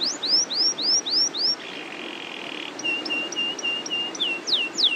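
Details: Canary of the loper type giving a long rolling song: six rising slurred whistles, a buzzy sustained rattle, then a row of short even piping notes ending in upslurred whistles, against faint background hiss.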